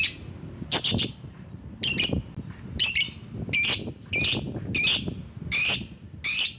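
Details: A lovebird used as a lure call to draw rival birds gives harsh, shrill screeching chirps in short bursts, about one every second, high and scratchy, over low background rumble.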